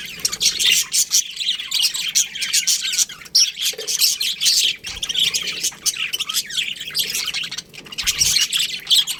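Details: Chattering budgerigars in a colony, harsh squawks and rapid chirps overlapping continuously, with brief momentary dips between louder bursts.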